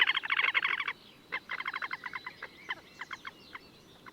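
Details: Wild Slavonian grebe at Gavieze, Latvia, May 2024: a fast burst of rapid staccato notes, then spaced runs of similar notes that slow and grow fainter, with quiet gaps and a soft background hiss.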